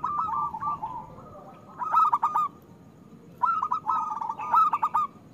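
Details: Local zebra dove with a big voice singing as a lure for reluctant singers: two bubbling phrases of fast, pulsing coos separated by a quiet pause.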